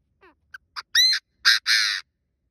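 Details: Chinese francolin (đa đa) decoy calling to lure wild birds for trapping: a few soft rising notes, then three loud harsh, buzzy call notes in quick succession, the last drawn out.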